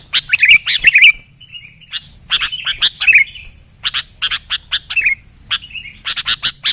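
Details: Sooty-headed bulbuls in an exchange of lively gacor song: short liquid whistled phrases early on, then a long series of sharp clicking chips at an uneven pace, with a faint steady high tone throughout.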